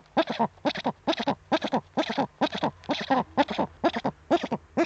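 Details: Eurasian eagle-owl pair on an Eifel nest webcam, 19:00 on 23 February 2015, the male delivering prey to the female: a rapid run of rough, doubled chattering notes, about two per second, evenly spaced.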